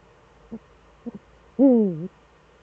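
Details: Eurasian eagle-owl in the Eifel, Germany, evening of 11 March 2013, with both owls back: two soft short notes, then one loud harmonic call that slides down and turns up at the end.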